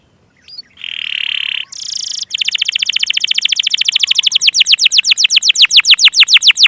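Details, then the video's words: Canary song used as a lure song to prompt young or non-singing canaries to sing: a short buzzy note, then rapid clear trills repeated about three or four times a second, speeding into sweeping rolls. "burung kenari pancingan paud dan yg macet"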